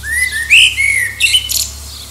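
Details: A common blackbird near Liverpool sings in competition with distant birds to find a mate: low, fluty whistled notes sliding around a mellow pitch, then a brief scratchy, high twitter near the phrase's end.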